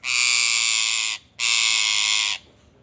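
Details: ['Indian ringneck parakeet uttering two long, grating, buzzy screeches of about a second each with a brief gap between them.']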